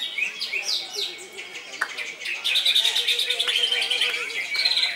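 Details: Captive greater green leafbird in full song: varied high whistled phrases, rising and falling slurs, then a long rapid trilling run, with faint lower repeated notes beneath.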